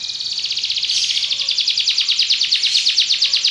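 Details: Short stretch of Belgian canary song: a steady, fast, buzzy high trill of evenly pulsed notes, growing slightly louder.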